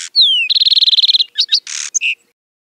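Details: Lark sparrow singing outdoors: a loud, clear downslurred whistle opens into an even, rapid trill, then scattered chips, a harsh buzz and a final clear note.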